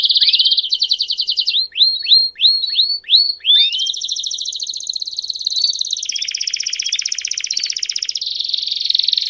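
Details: Male canary (Canário do Reino) singing in the campainha style while a female calls. The song opens with buzzy trills, then a run of rising upswept chirps, and ends in long, fast, even rattling trills at high pitch.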